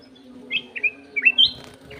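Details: Bright phrase from a sooty-headed bulbul: four or five quick bubbly whistled notes, ending on a higher sustained note, with a constant low droning hum beneath.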